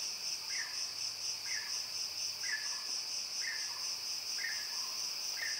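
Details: Mountain peacock-pheasant repeating a brief, downward-curving whistled note roughly every second, six notes in all, beneath a continuous high, pulsing chorus of insects.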